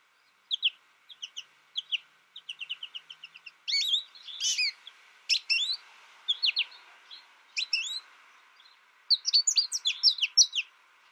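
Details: ['American goldfinch reared alone with a tutor recording starts with spaced soft chirps, builds into rapid repeated notes, then bursts of louder twittering and sweeping whistles.']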